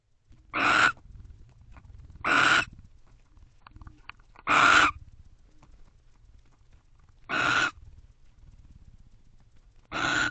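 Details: Barn owl pair sharing a nest box around 12:30 am in late November; five rasping, noisy screeches of roughly a quarter second each, spaced unevenly about two seconds apart, with faint low hum between.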